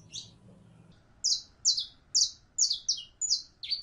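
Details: Female canary in heat calling a male to mate, a fast run of loud, buzzy, high chirps falling in pitch, repeated a little more than twice a second, over faint hum.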